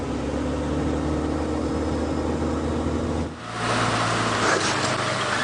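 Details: A vehicle engine idles and rumbles steadily, with a brief dip before the noise rises again; no animal calls are heard.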